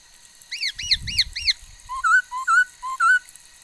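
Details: Singing female laughingthrush, 13 August 2021, with many kinds of sounds: four quick chevron-shaped whistled notes, then alternating low and higher clear whistles in a loose series, with soft low thumping underneath.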